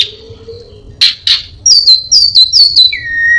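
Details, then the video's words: Low faint hum, two harsh bursts, then an orange-headed thrush rattles off a series of looping high whistles and finishes with a falling, drawn-out whistle, part of a repertoire mimicking prinia, cat and cirtu. "burung Anis binbin gacor isian perenjak,kucing,cirtu,dan burung lainya"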